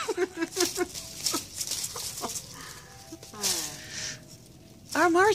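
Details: Western jackdaw kept indoors, said to mimic the words "heart attack": a person talks in Dutch, then a burst of loud, harsh, rising bird calls with rich overtones at the end.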